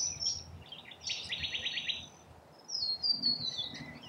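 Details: Rainbow lorikeets feeding in Australia: a high squeal, then a burst of rapid buzzy rattling, a short pause, and thin descending whistled screeches.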